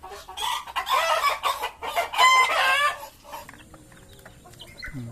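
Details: Ayam ketawa, the laughing chicken, of Meulaboh, owner-kept, in a harsh, noisy burst of ngokok crowing with stacked ringing notes for about three seconds, then a quieter stretch of background noise and hum.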